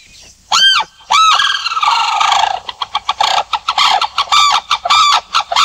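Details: Sarus crane calls: two separate loud trumpet blasts, then a longer rolling stretch of rapid, clipped honking notes, all strongly ringing.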